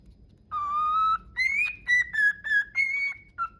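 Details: A pet cockatiel whistles the My Neighbor Totoro song in clear, sustained notes that step up and down in pitch.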